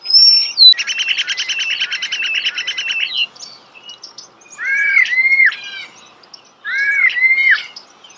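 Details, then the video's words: Starling singing nearby: a high thin whistle, then a long dry rattle of rapid clicks lasting about two seconds, followed by two rich, arching whistled phrases that rise then fall. "The song of the starling"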